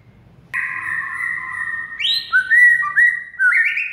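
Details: White-rumped shama song from a training recording meant to set silent shamas singing: sustained pure whistles stepping between lower and higher pitches, each held about half a second, with a rising note near the end; faint low rumble beneath.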